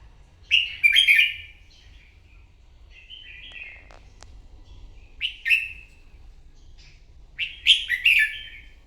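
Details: Wild-caught red-whiskered bulbul in competitive morning singing: short bright warbled phrases, rising and falling, delivered in three bursts with pauses between, plus a single sharp click midway.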